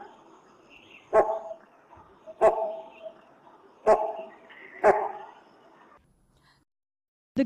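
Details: Great Hornbill, also called Great Pied Hornbill, calling in a valley filled with thick forest of huge trees. It gives four loud, harsh, resounding cough-like barks spaced about one to one and a half seconds apart, then another after a silent pause.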